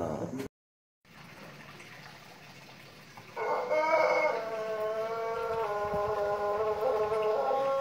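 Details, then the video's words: Pelung chicken long crow, a valued, luxurious voice: after a brief dropout and quiet room noise, a drawn-out harmonic crow begins at about three seconds, slightly wavering at first, then held level to the end. "Suara ayam pelung kokok panjang/kebat"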